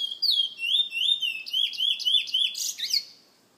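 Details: Bullfinch belonging to a San Fernando bird lovers association sings a lively string of clear whistled slurs, accelerating into buzzy trilled notes before stopping abruptly.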